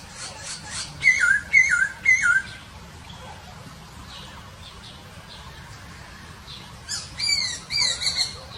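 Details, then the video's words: Masked laughingthrush in the wild with three loud, quick whistled notes that rise then drop, evenly spaced. Later come high chattering calls of other birds amid faint background noise. "Burung poksay Hongkong di Alam"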